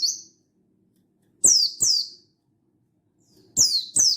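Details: Mountain white-eye of the buxtoni form, recorded 16/8/22, calling a rival to prompt other birds into song. One high falling chirp, a gap of about a second, then two quick pairs of sharp descending notes.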